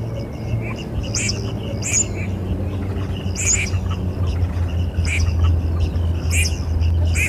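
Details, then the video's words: Red-crested pochard calls: short, wheezy, sneezing bursts repeated at irregular intervals of about one to one and a half seconds, over a steady low engine-like hum. "صوت الونس | Red-Crested Pochard"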